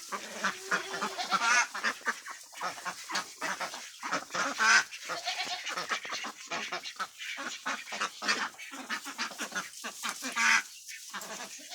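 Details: Large flock of Khaki Campbell ducks at a farm in West Bengal, India, a continuous chorus of raspy quacks with many birds calling at once.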